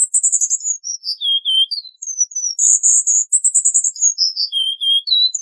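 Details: Cuban bullfinch song from a tutor recording used for training songbirds, with dense rapid delivery: high thin whistled notes and trills near the top of the range, stepping down to lower sliding whistles, repeated in phrases.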